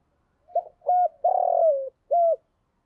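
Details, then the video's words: One complete cooing phrase from a decoy spotted dove meant to lure wild doves: a brief note, a level coo, a long buzzy coo gliding downward, and a clear ending coo. "chim cu mồi thúc gù bài bản nhất hiện nay, chim cu gáy kích bổi hiệu quả nhất hiện nay"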